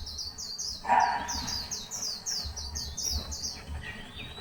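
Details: White-eye giving a steady stream of high, descending chirps over a low rumbling background, with one brief harsher, lower sound near the first second.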